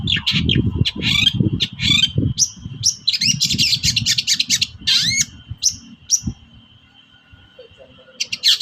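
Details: Long-tailed shrike giving the lively 'toet-toet' call, used as a lure to make reluctant shrikes sing: quick harsh chirps and upslurred notes in rapid bursts, a steady high whine throughout, low rumbling noise beneath, quieter toward the end.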